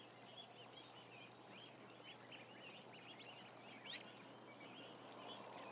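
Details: About a thousand ducklings together in a barn making a lively mass of short, high, arched peeps in quick succession, over a steady hum and soft background rustle.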